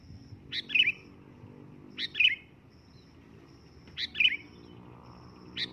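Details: Sooty-headed bulbul calling loudly: short bubbly phrases, about three per 5.7 seconds, each a quick rising note followed by a warbled double chirp. A faint intermittent high thin tone and low background hum are also heard.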